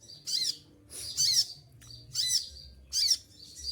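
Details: Olive-backed sunbird in moult, having lost all its feathers yet still singing vigorously; sharp, shrill, high-pitched chirping bursts with piercing trills, four bursts spaced about a second apart, faint low hum underneath.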